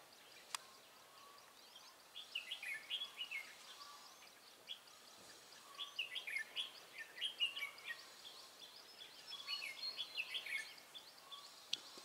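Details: Red-whiskered bulbul used in trapping, singing a rapid, dense "ché" style song, recorded 23 March 2018: bursts of quick warbled, chattering notes, some run together and some with short pauses, over a steady hiss of background noise.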